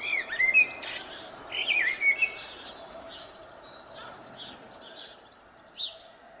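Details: A spring blackbird sings a short, mellow warble with a scratchy, high ending. Quieter, faint twittering and light ambient noise follow.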